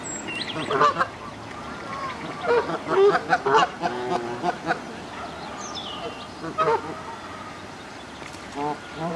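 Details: Several wild Canada geese in moult at Midhurst South Pond, England, calling in overlapping honks and clipped barks throughout, with busy pond ambience and a faint thin whistle from another bird.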